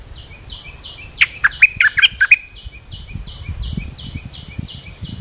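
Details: Olive-winged bulbul call for luring wild birds and training young ones, a burst of quick bubbly whistled notes over a steady pulsing insect-like background buzz and low rumble.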